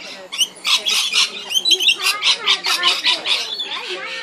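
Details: Lorikeets at Tamborine Mountain, Australia, giving harsh, buzzy screeches in a rapid series of bursts about every quarter second, mixed with squeaky chatter from several birds.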